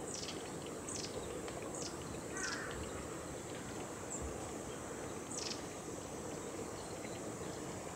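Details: A juvenile long-tailed tit gives thin, very high, downslurred notes, about once a second early on, then sparser, over steady outdoor hiss; Gongenyama Bird Sanctuary, 29 July 2020.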